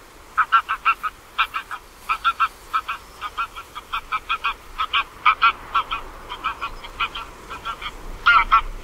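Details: Greylag geese (Anser anser) calling: quick, nasal, harsh honking bursts, several birds overlapping in a steady run lasting around nine seconds.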